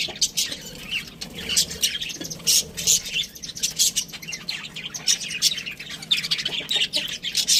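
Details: Budgerigar chirping, with quick high-pitched chirps and scratchy chatter coming in rapid, uneven bursts across the whole stretch and no pause longer than a moment.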